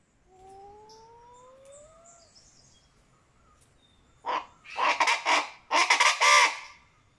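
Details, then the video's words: Venezuelan chachalaca, locally called guacharaca, giving its chant: a faint rising whistle first, then loud, harsh, raucous bursts of grating notes in two rapid clusters over about two seconds. "Venezuelan achalaca, guacharaca, chachalaca."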